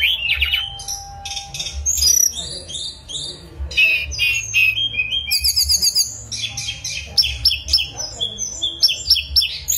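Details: Mangrove blue flycatcher in full song, mixing sweet rising and falling whistles with fast repeated chips and buzzy trill bursts, delivered almost continuously over a steady low background hum.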